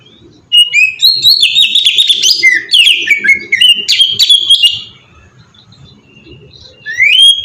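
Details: Oriental magpie-robin singing melodiously in ngeplong style as a lure to get birds singing: four seconds of dense, tumbling whistles and trills. Near-silence follows, then a single sharp rising whistle.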